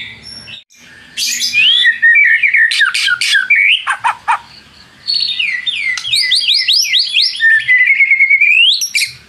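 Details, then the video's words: White-rumped shama song used as a lure to provoke rival birds into singing: loud, varied phrases of slurred rising and falling whistles, sharp upswept notes and quick chattering bursts, with a short pause in the middle and a long sequence of hooked whistles. "PANCINGAN MURAI BATU PENDONGKRAK EMOSI MUSUH !!! di jamin NYAUT GACOR"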